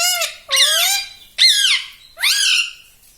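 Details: Pet talking parrot giving four drawn-out, harmonic squawks about one second apart, each one rising and then falling, in a quiet setting.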